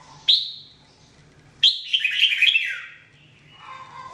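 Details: Red-whiskered bulbul daily training song: a sharp high note sliding down, then a bright, bubbly warbled phrase that falls away, ending with a soft lower note.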